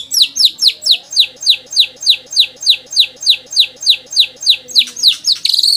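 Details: White-rumped shama lure song to set caged birds singing: a steady series of sharp, high descending chip notes, about three per second, each with a faint lower undertone, ending in a brief buzzy flourish.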